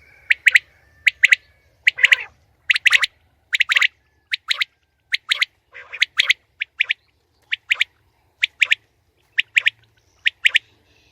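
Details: A female common quail repeats short high chirps, singly and in pairs, in an even run lasting several seconds, with no other clear sounds.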